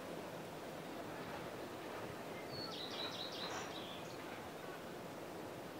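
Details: Common redstart (Phoenicurus phoenicurus) at Náchod-Běloves on 5 June 2016 gives a brief, high song phrase of four or five quick notes over a steady rushing background noise.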